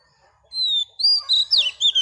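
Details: Caged wild-caught female Oriental magpie-robin singing to rouse males: a long, clear whistled note, then a rush of sliding, swooping whistles and short bright phrases in quick succession.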